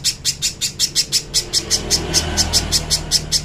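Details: Little spiderhunter recorded cleanly for training, repeating a shrill, high chip roughly every third of a second in an unbroken series, with a soft low rumble beneath.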